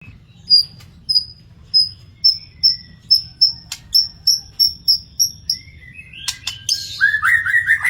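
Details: Wild magpie-robin singing a long series of clear, high whistled notes repeated about every half second, ending in sharper scratchy and warbled phrases, over a low steady background hum.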